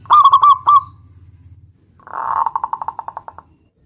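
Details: Local zebra dove calling out to a rival: one phrase of quick staccato coos, then after a pause a softer run of about a dozen evenly spaced pulsed notes, with a low rumble underneath.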